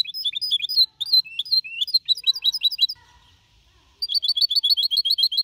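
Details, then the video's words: Goldfinch hybrid aged four and a half months, clean Copia Malaga song, 2021. Varied twittering phrases with some downslurred notes, a one-second pause, then a rapid, evenly repeated twitter series. "Mixto de Jilguero Cantando Limpio (Copia Malaga) 2021 🎶 Tiene 4 meses y medio"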